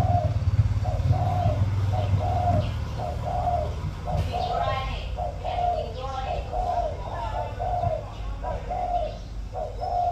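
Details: Spotted dove, a caged decoy bird of the 'giọng thổ' voice style, keeps up repeated low coos about once a second beneath a man talking and a steady low rumble.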